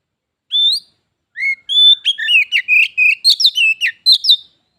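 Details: Pet white-rumped shama (kacer) in a singing duel with a visiting wild shama, the contest turning into a fight: clear rising whistles, then a quick run of varied whistled and chattering notes in short bursts, no background noise.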